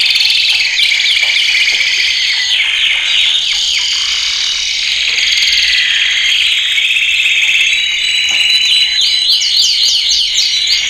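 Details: Male canary training song, loud and sustained: an unbroken high buzzy roll in the middle. Bursts of rapid repeated downswept whistles come near the end.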